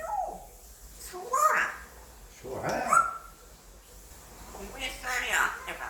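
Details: A five-year-old male African grey parrot, a household pet, attempts English words: three short talking bursts with sharp whistled, bending tones, separated by quiet pauses in a small indoor room.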